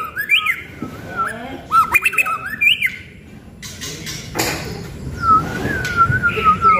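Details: White-rumped shama of the pastol type, a prospective champion songbird, giving sharp rising whistled notes and harsh squawks, then a long wavering whistle near the end; voices and music in the background.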